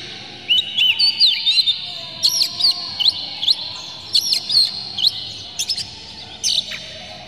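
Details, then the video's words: Oriental magpie-robin song used as a lure to provoke other birds into singing and tail-spreading. Short bursts of looping whistles and sharp high chips come every half-second to second. "PANCINGAN KACER Buka Ekor KONSLET bongkar MATERI KASAR JERNIH agar KACER emosi"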